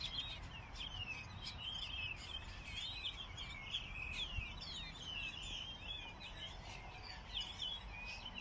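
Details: Morning birdsong from several birds at once: overlapping high chirps and twittering whistles run continuously through the whole stretch over steady low background noise.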